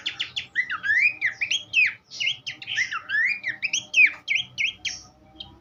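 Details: Varied Horsfield's babbler song for teaching songbirds, with wavering whistles swinging up and down between short bursts of clipped chirps, ending in softer notes.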